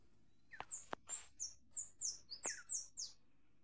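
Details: Sayaca tanager singing a quick series of about eight thin, very high squeaky notes, each sliding slightly downward, delivered in a rapid run with a few sharp clicks early on.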